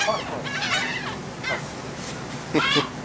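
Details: Feeding seagulls on the deck of a Texel ferry, Netherlands, 28 March 2014: overlapping raucous cries early on and a louder harsh call near the end, above a steady engine rumble.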